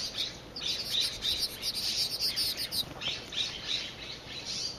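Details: Nuttall's woodpecker (Picoides nuttallii) drinking at a birdbath at a plant nursery gives high, harsh calls, including a fast rattling run of notes, over a steady thin background hiss.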